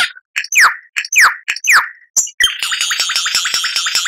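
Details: Lyrebird song used to train cage birds: three evenly spaced falling whistled notes, then a continuous scratchy chattering texture.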